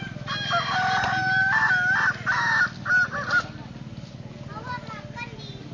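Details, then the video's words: At a Solok city contest, a ground-staked Kukuak Balenggek rooster crows in several blocky, level notes grouped into a stuttering series. The crow ends abruptly, leaving a low rumble and distant fainter crowing. "perlombaan ayam kukuak balenggek dipancang tanah"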